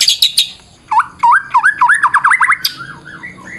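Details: Fighter-style White-rumped shama lure song with full variation: a few sharp high chips, then a quick run of repeated V-shaped whistled notes, fading into softer trailing slurs.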